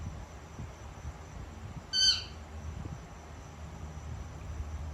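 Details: Pet Indian ringneck parakeet, a female, making cute noises while eating dinner indoors: a single short harsh squawk with a stacked, bright tone, then quiet room hum.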